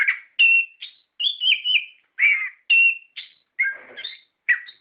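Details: Orange-headed thrush singing, used as a lure to stimulate captive birds to sing: a varied run of short whistled and slurred phrases, separated by brief pauses, roughly two phrases a second.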